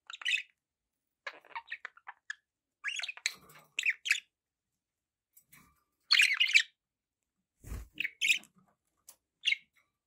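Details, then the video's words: Pet budgies giving scattered short chirps and scratchy warbles with gaps between, one loud harsh squawky burst in the middle, and a low thump near the end. "budgie sounds with background noise for relaxation"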